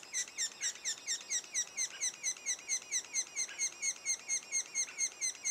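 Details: Regular squeaky chirps from a sapsucker nest two days before first fledging, each note falling in pitch, spaced about half a second apart.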